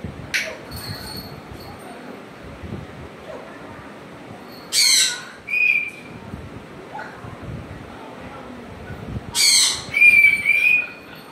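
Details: Pet African grey parrot at home giving pairs of loud, rasping squawks separated by quiet gaps, each pair followed by a short, level whistle.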